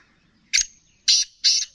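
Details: Black francolin, a kept bird; three loud, harsh, buzzy bursts about half a second apart, the last two close together, with a thin high tone running between them.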